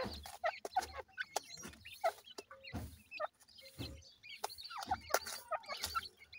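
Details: Grey francolin chicks calling the mother bird: quick high peeps and short rising chirps overlap, mixed with frequent loud knocks, thuds and scraping noises close by.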